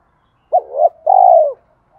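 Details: Spotted dove cooing, used as a lure to provoke other doves: two short hooting notes followed by a longer, falling coo, all low and mellow, in an otherwise quiet setting.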